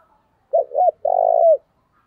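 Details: Single phrase from a caged decoy spotted dove calling to provoke fights: two soft hooked coos, a short break, then a long even hoot fading at its end.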